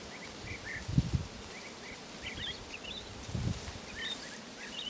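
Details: Preening woodlark with a subdued song of scattered short chirps that step higher through the passage, interrupted by two low thumps or rustles.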